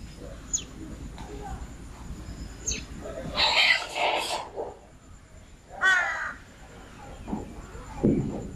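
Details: Birds in the morning: loud, harsh cawing bursts around the middle of the recording and again shortly after, with fainter calls and quiet voices between them.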